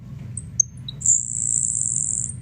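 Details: Grasshopper Sparrow (Ammodramus savannarum) song, described as a dry song: three thin, very high ticks, then a long, dry, insect-like buzz lasting over a second, over a faint low rumble.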